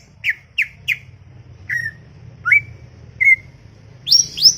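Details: Greater green leafbird notes, sparse: three quick slurred whistles, then single drawn-out whistles spaced about a second apart, ending with two high rising notes, over steady low hum.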